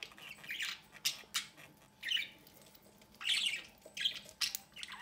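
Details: Pair of budgerigars feeding one of their chicks from the nest entrance; harsh, raspy squawking bursts repeated irregularly, each short and noisy, some louder than others, indoors.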